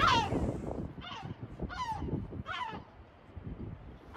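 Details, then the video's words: Gull calls at Batumi: a quick run of four short, harsh descending cries in the first three seconds, then quieter, with low-pitched background noise throughout. "Чайка морская,батуми | Sea gull,batumi | თოლია,ბათუმი| Gulls"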